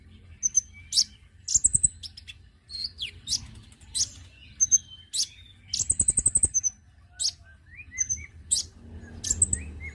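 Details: Lure sound of the konin bird to draw in birds: a busy run of high, piercing chirps and short whistles, broken by two quick rattling trills of rapid repeated notes, with a few lower slurred notes between.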